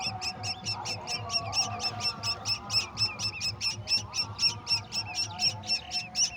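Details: Golden oriole adult feeding a mantis to its chicks; loud, regular train of shrill chirps, roughly four each second, pulsing steadily over a low background hum.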